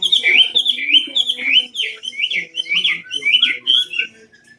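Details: Chinese hwamei from Cao Bang, a tame caged bird said to sing well all day, delivers a fast run of loud rich whistled phrases, rising and falling, repeated about twice a second with faint background noise.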